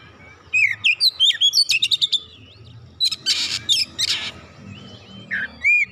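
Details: Oriental magpie-robin singing, used to coax a quiet bird into full song. A rapid string of whistled slurs and chips is broken by harsh raspy bursts, then sparse rising whistles follow.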